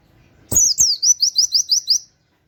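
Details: Oriental white-eye singing a 'nembak' phrase in a 'wit wit' canary style, kept for training songbirds: an initial sharp high note followed by about seven rapid, clear, descending high whistled notes.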